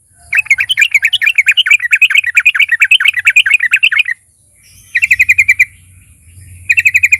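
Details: Sooty-headed bulbul in full song, used to provoke other bulbuls to sing: a four-second stream of quick bright chirps, then two short fast bursts after pauses, with a faint steady high-pitched tone throughout.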